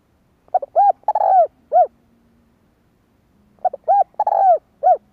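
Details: ["Spotted dove 'kích bổi' coo used to stimulate a caged decoy bird, two phrases of soft, hollow cooing, each a few short coos then a longer rolling coo, separated by a gap of about two seconds; faint low hum between phrases."]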